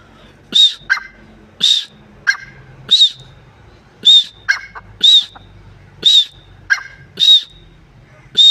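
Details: A repeated partridge call, one harsh, ringing arched note about every second, some with a short lower click just after. Faint low rumble in the background.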